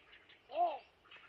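A Yellow Bittern gives a single short, low, nasal note that rises and falls, over a faint high hiss of distant insects or birds.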